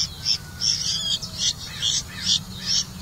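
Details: Red-vented bulbul feeding crickets to its young, giving bright, high chirps in short bursts about twice a second, each note sharp and slightly rasping, over a low steady hum.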